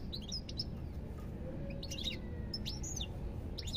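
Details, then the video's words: Sparse goldfinch song: short, high, slurred chirps and brief twitters in separate bursts with pauses between them, over a steady low hum. "ربع ساعة من تغريد طائر الحسون"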